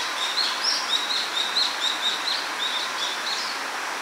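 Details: Japanese paradise flycatcher pair at the nest during incubation, calling back and forth to confirm each other's safety: short, high, thin chirps, about four a second in a loose series, over a steady hiss of background noise.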